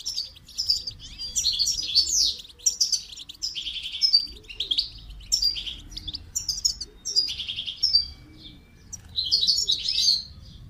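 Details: Goldfinch singing for song training: bursts of bright, liquid twitters and tinkling trills come in phrases about a second long, with short pauses between them. A soft dove-like cooing repeats faintly in the background.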